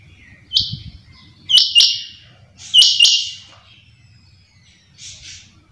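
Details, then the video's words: A quail calls in the morning: three loud, high, flat whistled notes about a second apart, the middle ones doubled, then a fainter fourth, over a low background rumble. "Suba ky time py chinga ki awaz/Quail sound"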